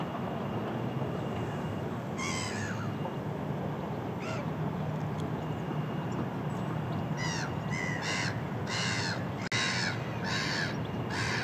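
Gull calls: harsh, nasal squawks, one near two seconds and another near four, then a rapid run of repeated squawks from seven seconds on, over steady low rumbling noise.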